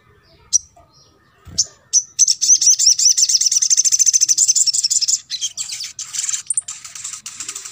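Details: Crimson sunbird, played to coax rarely singing birds into song: two sharp high chips, then a long fast buzzy trill of evenly repeated notes, breaking into looser twittering at the end.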